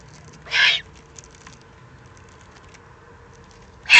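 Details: Excited juvenile Eurasian eagle-owls in the Eifel, 21 June 2020: a harsh, broad hissing rasp lasting about a third of a second, then near silence, with a second rasp starting at the very end.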